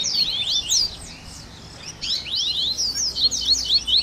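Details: Double-collared seedeater in a 'baderninha' recording to warm up a captive singer: clear sweeping whistled slurs, a quiet gap of about a second, then a renewed string of bright high chirps.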